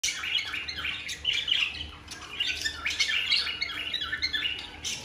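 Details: Newly bought cockatiel pair, caged pet birds in full breeding mood, giving mating calls ahead of expected egg-laying: bursts of harsh, squawky chirps and warbling notes, closely repeated throughout with short pauses, indoors with faint background hum.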